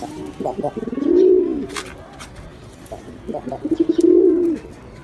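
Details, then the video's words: Two deep, bubbling pigeon coos roughly three seconds apart, each starting with short stuttered notes before a drawn-out, rounded hum. "Gerçek Güvercin Sesleri l Yüksek Kalite l Sevimli Güvercin Sesi Deneyimi!"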